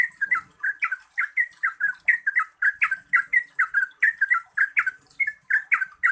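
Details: Yellow-vented bulbul, known in Java as trucukan, singing in the busy long-running 'gacor ropel panjang' style used to prompt birds that sing little. Bubbly, slurred two-part notes tumble out about three per second without pause over a steady thin high hiss.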